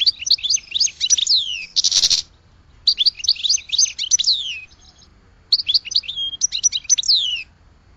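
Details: Three phrases of goldfinch song, each a quick bright twitter of slurred high notes; the first includes a harsh buzz, separated by short pauses.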